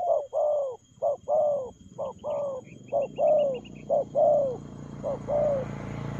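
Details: Spotted dove cooing in the fast 'lèo gù' style: short clipped coos alternating with longer, downward-bending coos, about one a second, with faint high chirps of another small bird in the background.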